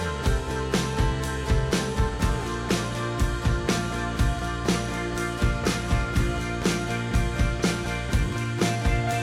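Steady instrumental music with guitar and a regular beat throughout, and no animal sounds.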